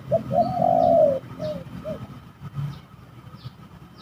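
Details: Spotted dove fighting while being lured with a decoy at a spooky trapping spot; a brief note, then a long harsh sustained coo, two shorter low notes, and quiet distant bird chirps above a steady rumble.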